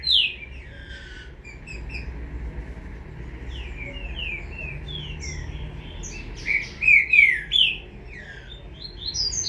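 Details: Young green-winged saltator with soft scattered chirps for several seconds, then a louder cluster of three or four slurred notes and a final rising note; quiet low hum behind.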